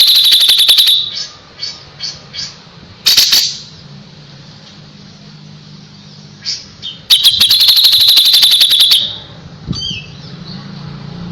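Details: Pied triller, recorded as tutor song for white-rumped shamas, delivers loud rapid ringing trills at the start and near the end, separated by sparse soft whistles and a brief harsh burst.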